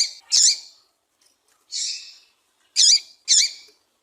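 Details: A female double-collared seedeater's call, played to make the male sing: four high chirps in four seconds, a buzzy smeared note then sharper notes with a twisting pitch, two of them close together near the end, no other sounds.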